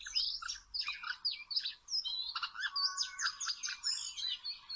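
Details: Oriental magpie-robin, a wild bird being trapped with small ropes, delivering a dense, varied song of bright whistles, chirps and buzzy trills, phrases rising and falling in quick succession, with a brief lower whistled note near the middle.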